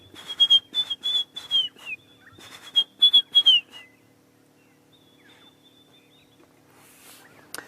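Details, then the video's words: Wild White-browed Scrub Robin at sunrise on 1 June 2016, Sabi Sand, South Africa, giving an alternative call of high, thin whistled slurred phrases, with harsher chatter from other birds, possibly helmet-shrikes, for the first four seconds. "then in the background you can hear a white-browed scrub robin giving an alternative call."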